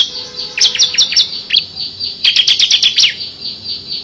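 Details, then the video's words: Bar-winged prinia, called ciblek kristal, singing ngebren style as a training model for prize songbirds: a brisk run of shrill chirps, a lone note, then a tight fast burst, over a continuous high whine. "FULL NGEBREN‼️ CIBLEK KRISTAL GACOR ISIAN 6 VARIASI"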